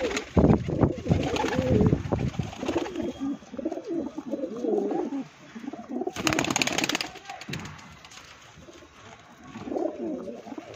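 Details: Pigeons kept for sale give low, warbling coos, partly masked by loud handling knocks and bursts of noise, with the cooing fading in and out.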